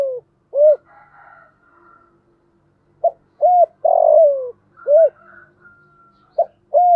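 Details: Spotted dove calling in the thổ voice style: mellow low coos in short phrases, a quick note followed by a longer drawn coo, one long falling note, repeated after pauses, with faint higher chirps from other birds between.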